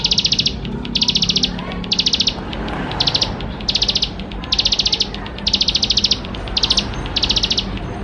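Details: Bar-winged prinia in persistent full song, played to get young prinias singing quickly: loud, buzzy-ticking high trill bursts repeated roughly once per second, about ten in a row, with faint low hum behind.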